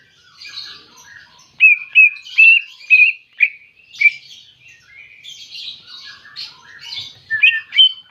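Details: Greater green leafbird song aimed at a rival: scratchy chatter, then loud ringing whistled notes in quick succession, then more rasping phrases ending in sharp whistles.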